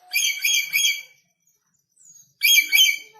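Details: Harsh, rasping screeches in pulsing bursts from an aggressive red lory newly arrived from North Maluku, two bouts split by a short quiet spell with a soft note.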